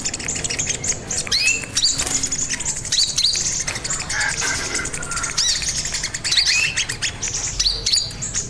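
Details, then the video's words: High, fast twittering of a crimson sunbird singing actively, used to lure and train other birds: clusters of thin chirps and curling whistled notes with short pauses, over soft background noise. "Pancingan Dan Masteran Burung Sogon Gacor Dor"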